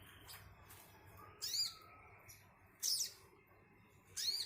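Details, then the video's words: Brown-throated sunbird giving three sharp, high, slurred notes, one roughly every one and a half seconds, with quiet background noise between them. "Burung kolibri kelapa||kolibri manggar"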